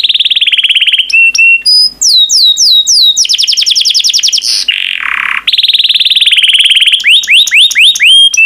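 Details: Yellow pet canary in full song, mixing fast rattling trills, repeated descending whistled sweeps, a harsh rasping burst and a steady high trill ending in quick rising notes.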